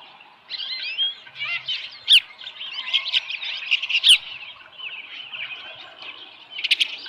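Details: Osprey at the nest with a live fish, morning of 13 July 2018, delivering a run of high, squealing, slurred chirps that builds and continues, with occasional sharp clicks.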